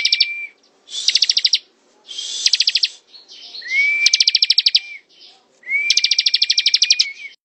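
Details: Ciblek, the bar-winged prinia, singing ngebren: quick, high, pulsing trills in five bursts, the later ones led by a rising then steady whistle, with short silent gaps between phrases.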